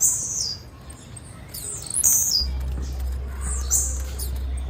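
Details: Female blue-black grassquit giving quick, very high chirps that drop in pitch, in short bursts near the start and middle; a low droning hum joins halfway.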